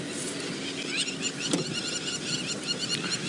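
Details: Crowned lapwings at Cheetah Plains on the afternoon of 8 December 2016 fly over a coalition of cheetah brothers, giving sharp, repeated high alarm calls over a broad background hiss of wind or vehicle noise.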